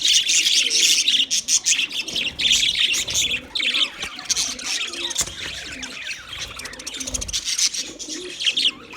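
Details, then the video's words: Budgerigars chirping: a dense, continuous chatter of bright, high twittering notes and quick trills from several birds at once, with a few soft lower warbles underneath. "sounds of budgies chirping"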